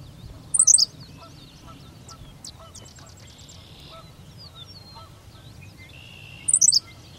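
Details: At Goose Lake Prairie a Henslow's sparrow gives its tiny song twice, about six seconds apart: each a quick, high, two-part lisping hiccup. Faint chirps and buzzy notes from other birds fill the gap.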